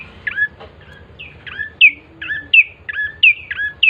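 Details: Bar-winged prinia song played as a lure to start birds singing: high, sharply bending chirps in an irregular series, some louder than others, over a low rumbling background.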